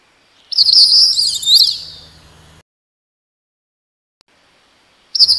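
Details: Crested Bunting (Melophus lathami) giving a two-second burst of high, rapid, twittering chirps, then a silent pause before another burst begins.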